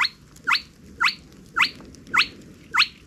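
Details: Little Crake calling at its nest in reedbeds and cattails in central Russia at evening gives six short, sharply rising croaking notes, one roughly every half second, over a low background hiss.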